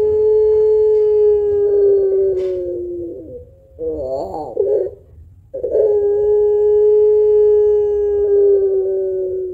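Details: Long-voiced puter pelung dove with a thick 'kuwok', kept to prompt other birds to sing: a sustained low coo held over three seconds, a brief rough wavering burst, then a second long steady coo fading gently.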